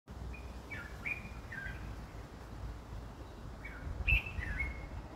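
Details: White-spectacled bulbul (Pycnonotus xanthopygos) in the background near a flowering sweet pittosporum gives short, liquid whistled phrases in two bursts a few seconds apart, against steady low wind rumble.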